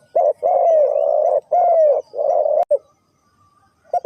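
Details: Spotted dove from Ninh Thuận, Vietnam, cooing in the three-coo hanging style: low hollow coos, some long and gently falling, run together in a steady series, then a short pause before two brief coos.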